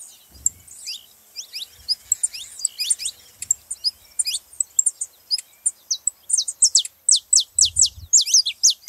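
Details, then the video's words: Saffron finch song meant to get other canaries singing: soft, scattered high chirps building into a fast, loud series of sharp downslurred notes, with a brief low thump near the end. "canário da terra pra foguea seu canário frio"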